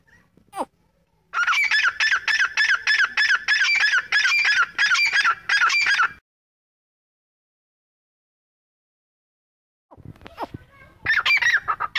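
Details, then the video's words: Grey francolin gives loud, harsh, shrill notes in a rapid run of about ten in five seconds, then after a pause starts again. "Voice of Teetar Bird - Grey Francolin Teetar Ki Awaz"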